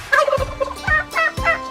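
A wild turkey gobbles in quick, throaty, rattling bursts, one roughly every half second, with dull low thumps underneath.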